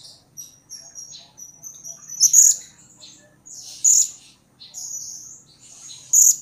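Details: High, thin, drawn-out squeaky notes from a blue-crowned hanging parrot, played as a lure to draw a reply. Three louder sharp chirps stand out at roughly even gaps among softer continuous twittering.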